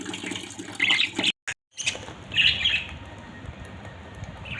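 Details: Pet budgerigars in a family group give short bright chirps around one second, a brief silence, then a longer warbling chirp and a faint call near the end; soft background hiss.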